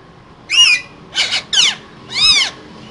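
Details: Green parrots in a cage give four harsh squawks in quick succession, the middle ones short and clipped, the last longer and arched.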